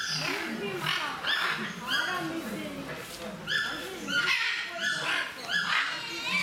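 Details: Captive blue-and-yellow macaws at Mysore Zoo mimicking human speech: short nasal, strongly harmonic calls, some rising, repeated irregularly about once a second amid steady chatter of a crowd.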